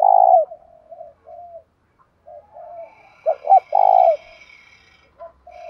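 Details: Decoy spotted dove in 'thổ' voice, calling with a single trailing note to attract wild males. Low, soft coos, some fuller and some faint, with a faint high, buzzy sound in the background midway.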